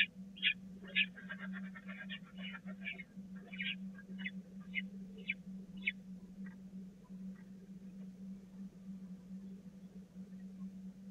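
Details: Brood of Peregrine falcon chicks at the Catharinakerk nest on 16 April 2019 at feeding time, the youngest skipped. Short, harsh, chattering calls come in quick bursts for about six seconds, then taper off into sparse notes over a constant low hum.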